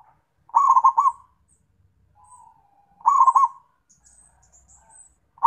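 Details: {'caption': 'A zebra dove calls to companions with rhythmic, rapid bursts of rolling coo notes about every two and a half seconds, linked by soft trills, with faint high chirps behind.'}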